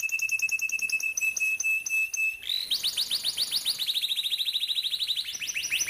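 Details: Canary song played to teach young canaries: a sustained pure whistled tone under soft ticking notes, then a rapid rolling series of downward-sweeping chirps running steadily for several seconds.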